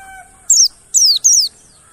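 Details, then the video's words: Mountain white-eye lure recording meant to prompt silent birds to sing: three sharp, high, downward-slurred notes, the last two close together, after a faint steady tone at the start. "PANCINGAN BURUNG PLECI MONTY BAHAN MACET BUNYI AGAR GACOR NGALAS BUKPAR"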